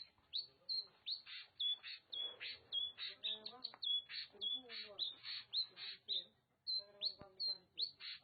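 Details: An Oriental magpie-robin in Nagan Raya, Aceh, sings a rich, varied run of whistled and scratchy phrases, with a high sliding whistle recurring about twice per second.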